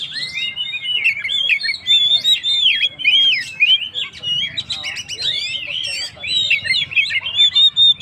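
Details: Oriental magpie-robin in energetic gacor song, used to rouse emotion in stressed birds: dense, rapid chatter of buzzy and whistled notes mixed with sharp clicks, pouring out almost without pause for eight seconds.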